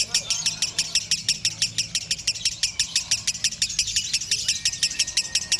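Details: Konslet-style lovebird song: a rapid, evenly spaced train of bright high chirps running continuously without pause, accompanied by a soft low hum underneath.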